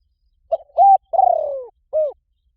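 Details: Lure call of a spotted dove for attracting wild doves: soft, mellow cooing phrase made of a brief note, a sustained coo, a long descending wavering coo, then one closing coo, with a quiet background.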